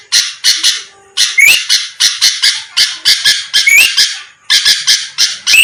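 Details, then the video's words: Sooty-headed bulbul lure song for provoking rivals: grainy, buzzy notes in quick groups, a clear rising whistle threaded through some, with short silences between groups. "pancingan Suara burung kutilang gacor⁉️lawan langsung merespon cepat"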